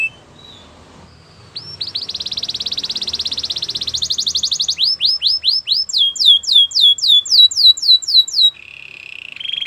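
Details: Belgian canary singing a training song: a long fast buzzy trill, then repeated rising whistles and quick falling sweeps, ending in a low rolling buzz.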